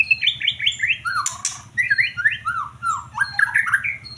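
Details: White-rumped shama singing a fast, varied run of clear whistled phrases. Short slurred notes rise and fall in quick succession with a brief sharp burst in the middle. A faint low hum runs underneath.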